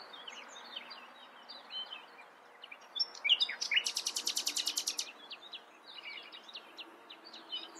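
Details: Singing common nightingale, with soft scattered twittering notes before a loud, fast machine-gun rattle of identical notes lasting over a second, then more quiet chirps against a noisy background.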